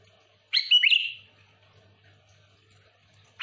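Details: One bubbly whistled phrase from a sooty-headed bulbul, a quick twist of notes held into a fading tone, then quiet and a brief note starting at the end; meant to attract other bulbuls.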